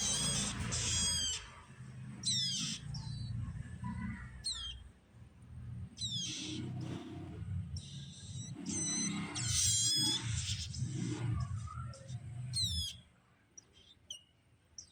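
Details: Bar-winged prinia chicks being hand-fed from a nest, giving bursts of thin, high, rapidly repeated chirps and descending squeaky notes, with low rumbling handling noise and brief quiet gaps between bursts.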